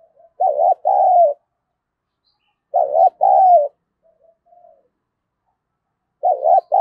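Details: Spotted dove used as a decoy, calling to stir rivals into a fight. Two full phrases and the start of a third, each a brief coo followed by a drawn-out falling coo, with a few faint notes between.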